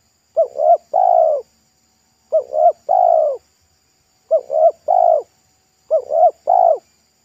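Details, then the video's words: Roadside spotted dove with a loud, thick pesom-style voice, a bird targeted for lure-trapping that later flew off when a motorbike passed. Four three-note coo phrases repeated about every two seconds, steady and mellow, with little background. "TEKUKUR LOKAL RASA PESOM"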